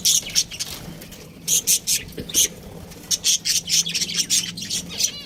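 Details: Pet budgerigar chirping in quick, bright, high-pitched bursts, about a dozen short notes repeating unevenly across the recording, some paired.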